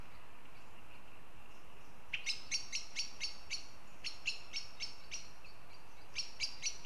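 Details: Quiet at first, then a northern goshawk in Riga, Latvia bursts into loud, harsh repeated notes in quick runs, pausing briefly between series, with a low steady hiss throughout.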